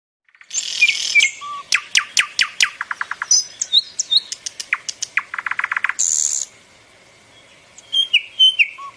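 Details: Common nightingale singing: rapid trains of sharp repeated clicks and notes, buzzy high bursts, a low whistled note, then a pause before soft rising whistles resume.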